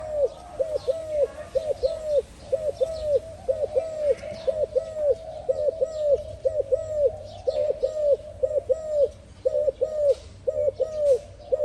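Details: Spotted dove cooing steadily: soft, low, hollow arched coos in short groups of two or three, repeated without pause over a constant background hum, with faint higher chirps of other birds.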